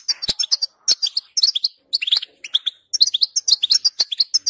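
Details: European goldfinch song played to set a goldfinch singing: fast, jangling twitter of sharp high notes and slurred chirps in quick phrases with tiny pauses, plus a few crisp clicks.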